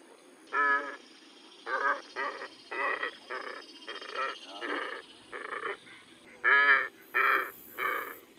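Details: Glossy Ibis uttering a series of short, hoarse, nasal grunts, each under half a second, in uneven pairs and singles about every half second to second, against a quiet background.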